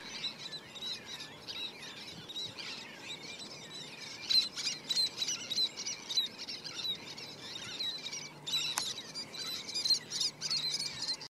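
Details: Least tern chicks on Outback Key, 18 July 2017, give thin, high peeping and chittering calls overlapping in a steady, busy chorus, with a sharp click near the end.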